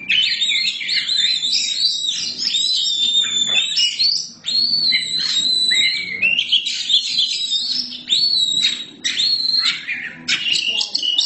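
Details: Black-form Oriental magpie-robin (kacer hitam), a kept bird, delivering a long, loud, unbroken song of varied whistles, trills and rapid chirps, with one brief pause midway.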